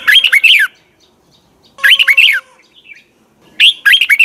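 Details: Red-whiskered bulbul morning training song in the double twisted style: three bright warbled phrases, each under a second, of chirpy notes sliding up and down, with short pauses between.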